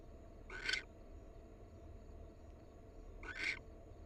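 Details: Wild barn owl, one of a pair, gives two short, harsh, hissing screeches about three seconds apart over steady low background hum.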